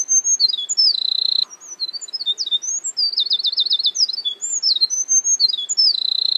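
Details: A wren in forest pours out a loud, rapid song of high chips, whistles and fast rattling trills, running without pause for several seconds.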